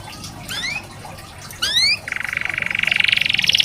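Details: Canary tutor song played to encourage lazy or young canaries to sing: two bright rising upslurred notes, then a fast, even rattling trill that grows louder toward the end. Faint background hiss.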